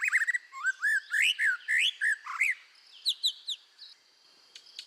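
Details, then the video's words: Red-whiskered bulbul singing hard, voice training: bright warbling whistled phrases with rising and falling slurs in quick succession, followed by a few short higher notes and a quieter tail. "tiếng chim chèo lửa hót căng luyện giọng kích lửa"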